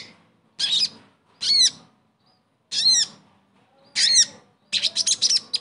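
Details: Sogon song for coaxing a quiet bird back into voice; separate harsh notes with descending whistled slurs every second or so, closing with a rapid buzzy series.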